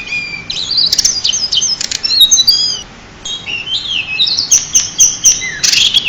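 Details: Pied bushchat, a champion bird used as a master tutor, pours out loud, fast chattering song with stepped whistles and rasping notes, a short pause near the middle, then a harsh buzzy ending.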